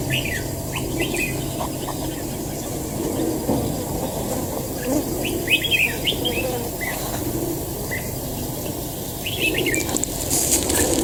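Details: Trapped fighting red-whiskered bulbul calling in clusters of quick chirpy whistles separated by gaps of a second or two, over faint hum and rustling; a short burst of noise near the end.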